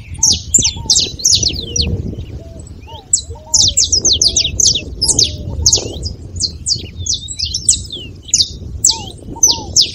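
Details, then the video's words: Saffron finch's beautiful song, played to get a silent canary singing: clusters of sharp, high descending chip notes, a pause near the third second, then more bursts over faint low whistles and background hum. "canário da terra com belo canto pra foguea seu canário frio"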